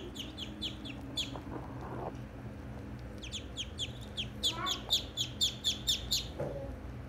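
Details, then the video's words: Ducklings peep in quick, high, chevron-shaped notes, first a short bunch and then a louder rhythmic series, with brief lower chatter and a steady low hum underneath. "baby ducks sounds"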